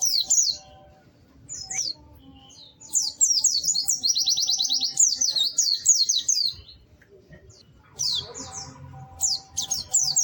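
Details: White-eye song in bursts of very high, rapid twittering with fast repeated trills, separated by short quiet gaps. A faint low hum runs throughout.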